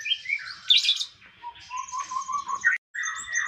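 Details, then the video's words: Konin song used as a master for songbird keepers: a loud burst of twittering, then a rapid series of short low chirps and more warbling. "Konin mewah masteran wajib kicau mania"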